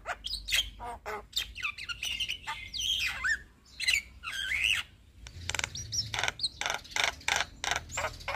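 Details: Black-winged starling song meant to stimulate stressed, silent captive birds: a dense, energetic stream of rasping squawks, clicks and whistled slurs, with rapid rhythmic noisy bursts through the second half.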